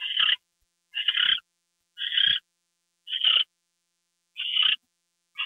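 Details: Owl during a nighttime gopher delivery on 2 February 2013 at 10:43 PM. Six grating, breathy screeches are each under half a second, spaced about one second apart, in otherwise quiet surroundings.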